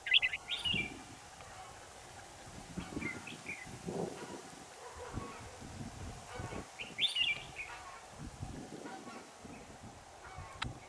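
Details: Red-whiskered bulbul singing during a new camera test: bursts of quick, bright warbled notes at the start and again midway, with scattered softer chirps between and low thumping handling noise throughout.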